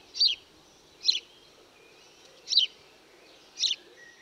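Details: House sparrow giving four sharp, slightly buzzy chirps, roughly one per second, each brief and falling in pitch, against a soft constant hiss.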